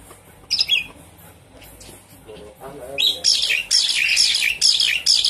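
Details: Javan pied starling lure sound meant to coax a bird that has stopped singing: a brief harsh note, a lower rough call, then a dense run of loud, scratchy, chattering high notes.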